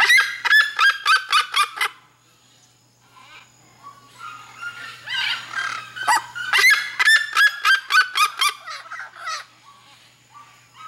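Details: Seriema, red-legged, from Mato Grosso: a fast burst of shrill cackling yelps, a quieter gap of softer gurgling notes, then another vigorous rapid yelping series that trails off.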